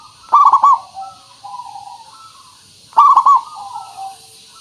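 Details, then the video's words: Zebra dove lure song to make birds sing back: two loud, bubbling stuttered coo phrases about two and a half seconds apart, each followed by softer descending coos. "Suara Pancingan Burung Perkutut Pikat Paling Bagus Supaya Bunyi"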